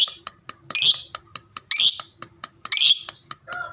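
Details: Fighter lovebird giving three loud raspy squawks about a second apart amid sharp ticking clicks, part of a long ngekek call aimed at provoking nearby lovebirds to respond.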